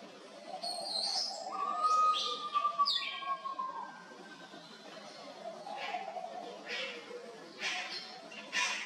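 Bruce's green pigeon gives a long, clear mid-pitched whistle that holds steady, then slurs downward, over high chirps from other small birds and a low background murmur.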